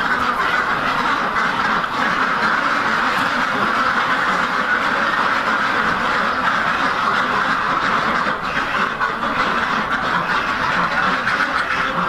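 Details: Rouen ducks, a farm breeder flock of heavy domestic ducks raised for hatching eggs, give a dense, unbroken chorus of raspy quacks from many birds at once, steady in loudness throughout with no pauses.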